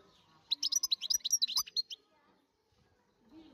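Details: European goldfinch, a wild bird, recorded in 2023, giving a fast, dense run of bright, high, liquid twittering notes lasting about one and a half seconds, then near silence with faint low background sound.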